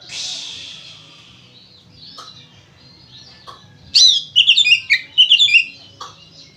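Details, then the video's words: Oriental magpie-robin singing in an energetic, fighting style, meant to prompt other magpie-robins to sing. A soft hiss opens, then a few isolated notes, and finally a burst of bright, rapid warbled and whistled phrases near the end. "SUARA BURUNG KACER GACOR NGEPLONG NARUNG ini ampuh buat PANCINGAN KACER AGAR BUNYI"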